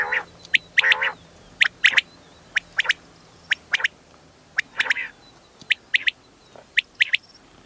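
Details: Female quail calling for hunting: sharp, clipped high notes repeated roughly once a second, often in doublets, mixed with several lower, harsher, drawn-out rasping notes against faint background hum.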